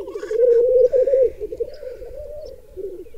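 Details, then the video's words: Displaying black grouse males at a long-known bog lek in Berezinsky Biosphere Reserve, with up to 20 females present. Loud rolling bubbling, rising and falling in waves, fading toward the end, with brief faint hisses overhead. "Десять тетёрок на одного петуха! Уникальный тетеревиный ток на заповедном болоте"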